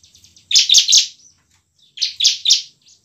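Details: Ciblek, or bar-winged prinia, in 'ngebren' and 'nembak' song used to trigger silent birds: faint rapid ticking leading into two bursts of three loud, buzzy chirps each, about 1.5 seconds apart.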